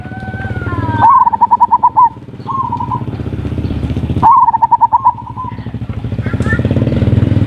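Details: Zebra dove lure song, ngerot and kuwor styles, used to stir breeding urge and get lazy birds singing: two phrases, each a sharply rising note then a fast run of bubbly coos, over a steady low rumbling hum.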